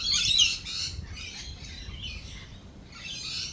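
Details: Lorikeets during a thunderstorm with rolling thunder and lightning: harsh, screechy squawks in quick bursts, loudest in the first second, then scratchier chatter fading and returning near the end over a low rumble.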